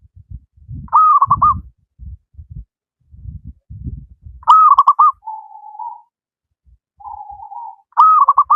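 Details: Zebra dove from the wild, a local bird singing freely, used to teach reluctant doves. Three rolling coo phrases with two lower, flatter hummed notes between them, against soft low knocking sounds at the start.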